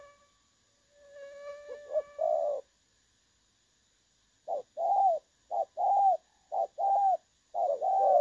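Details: Trapping decoy spotted dove, clear voice: after a brief electronic tone sliding into a coo and a pause, the bird gives paired coos, short note then longer arched one, about once a second.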